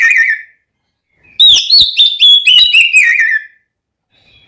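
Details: Oriental magpie-robin fighting song, used to provoke a rival male: a brief whistle, a pause, then a fast two-second run of bright, slurred whistles and clicks that slides downward, ending in silence.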